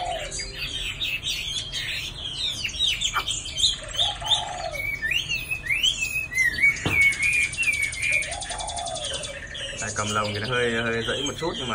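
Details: A fairly tame caged Chinese hwamei, nearly two seasons old and moulting with many pin feathers, sings a rich, fast run of varied whistles, trills and slurred phrases in a continuous stream while a man talks faintly.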